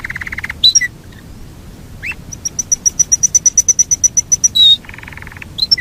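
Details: Yorkshire canary singing a long rolling song: a buzzy low trill, then bright whistled notes and a steady series of clipped pulses repeated several times a second, ending in another buzzy roll and a rising note.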